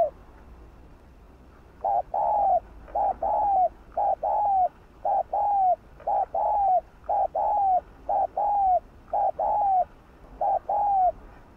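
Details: Continuous cooing of a spotted dove, played to lure and stimulate other doves; short paired coos with a downward-slurred tail, repeated about once a second in an even series.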